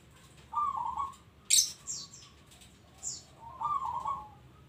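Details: Zebra dove of the local type in full song. Two trilled, vibrating coo phrases open and close the passage, with a scattering of high, thin chirps between them over a faint background hiss.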